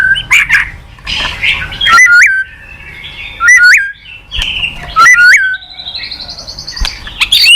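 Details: White-rumped shama singing, used as a lure to draw a reply from a silent bird. Loud, rich whistled phrases with sharp upslurred flourishes are repeated every second or two, along with a long, wavering high trill.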